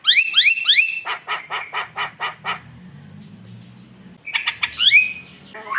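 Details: Constantly singing Javan myna, recorded as a lure against rivals: three loud rising whistled slurs, then a run of evenly spaced harsh rasping pulses, a pause, and further ringing rising whistles.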